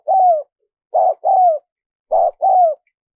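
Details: Repeated spotted dove cooing meant to excite decoy birds when trapping wild doves: three phrases, each a short coo and a longer descending one, evenly spaced, nothing else audible.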